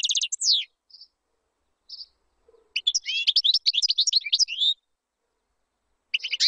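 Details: European goldfinch song, used for teaching chicks: high, tinkling twittered phrases with liquid trills and short buzzy notes, broken by pauses, then one dense burst of rapid chirps before a fresh phrase begins.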